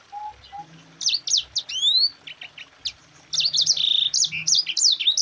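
Yellow-fronted canary singing in two fast bursts of bright, high chirps and rising slurred whistles, separated by a short pause; a faint low hum underneath.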